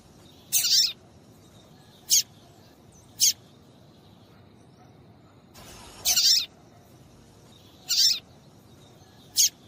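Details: High, sharp chirps of a female papa-capim (Double-collared Seedeater), used to rouse males into singing: seven brief notes at uneven intervals, with a short burst of hiss midway.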